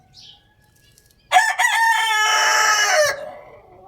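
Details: A rooster crows loudly, opening with a sharp stutter and then holding a long, harsh, buzzy note for almost two seconds before trailing off; a faint short chirp comes just before.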